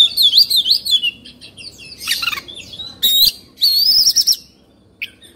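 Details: Excited Oriental magpie-robin, an Indonesian hobby bird, flaring its tail; wavering high whistles, a noisy scratchy burst, then a sustained warbled whistle and a final short note.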